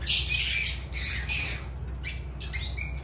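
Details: Shrill, grating lovebird squawks tumbling out rapidly, dense harsh bursts at first, then thinner broken chirps trailing off.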